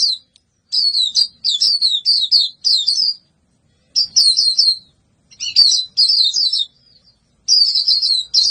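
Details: Lively white-eye song in bursts of rapid high twittering notes, grouped phrases separated by brief pauses, clear and loud with a quiet background.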